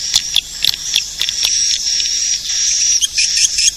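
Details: Swiftlet lure call played to attract edible-nest swiftlets: a dense, high, continuous twittering with scattered sharp clicks and brief louder chirps layered over a steady shrill hiss.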